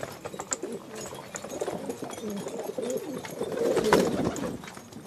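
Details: Low, bubbling coos from a group of Filo pigeons run throughout, swelling near the fourth second, with scattered clicks and rustles.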